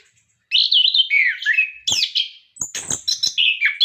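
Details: Orange-headed thrush in captivity singing energetically as a tutor for caged birds: smooth descending whistled phrases, a sudden click, then quick high notes and warbles repeated in short pulses.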